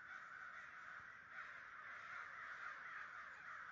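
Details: Around a hundred American crows gathered in a massive group in New Jersey, 2011, filling the air with a steady wall of raspy, overlapping caws, many birds calling at once with no pauses.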